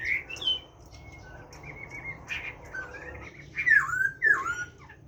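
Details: Caged Chinese hwamei singing in the forest-voice style (giọng rừng): scattered clear whistled notes and slurred downward phrases with pauses between them, ending in two louder swooping whistles.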